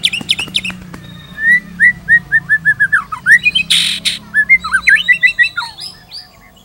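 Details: White-rumped shama in Indonesian tutoring song: clear whistled notes rising in a steady series, a short harsh rasp in the middle, then twisting slurred whistles fading out.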